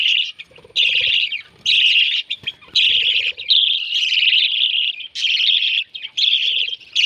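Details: Lovebird chicks being fed give loud, harsh, buzzy rasping calls in near-continuous bursts, some lasting over a second, broken by short pauses and soft clicks and rustles from feeding.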